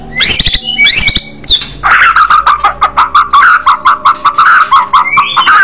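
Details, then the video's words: White-rumped shama, a fighter bird singing in aggressive style: a few high whistled phrases, then a harsh, buzzy chattering run of repeated scratchy notes. "murai batu bergaya agresif burung fighter suara keras"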